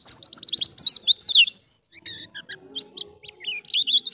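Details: Actively singing white-eye in ngalas style, used as a training recording: a dense burst of high, rapid warbled twitters, a short silence, then scattered thin chirps and slurred whistles over a faint low hum.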